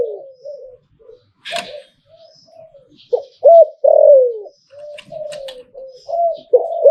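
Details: Thai zebra dove giving its hlio-tan style song. Quiet low coos build into loud rolling, falling coos with warbled loops. A few clicks and faint high twitters are heard behind.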